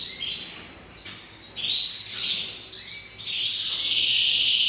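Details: Canary singing in a breeding setting, pouring out high, bright twittering phrases with rapid trills and thin whistled notes that swell and fade without pause across the whole stretch.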